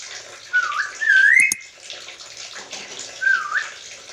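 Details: Black-capped lory, described as speaking like a person, producing two bright rising whistles close together, then a softer matching whistle after a pause, against continuous watery background noise.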